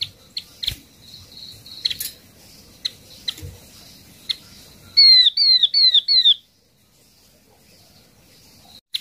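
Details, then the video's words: Flock-attracting lure call of a yellow-eyed babbler. Scattered sharp ticks lead into a burst of four bright, downslurred whistles in rapid series, followed by near silence. "Chim hoạ mi mắt vàng mồi gọi đàn chuẩn 100%"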